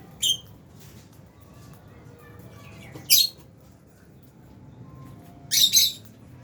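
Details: Albino and Fisher's lovebirds making three short, high, grating squawks spaced a few seconds apart, the last a doubled burst, with quiet background between calls.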